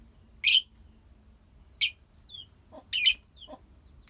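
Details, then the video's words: Lovebird colony: loud raspy shrieks every second or so, a thin descending squeak, and softer low chattering notes underneath. "Love bird koloni"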